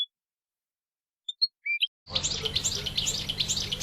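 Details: European goldfinch singing in nature: near silence with a few thin, high, scattered notes, then a dense burst of fast, tinkling, twittering song in the second half, with a low hum underneath.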